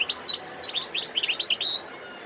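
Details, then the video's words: European goldfinch singing near Sidi Bel Abbes, recorded 17 December 2021: a fast twittering run of bright, tinkling chirps and short slurred notes, continuous for about two seconds. "متع نفسك مع مقنين خلوي صوت ولا أروع"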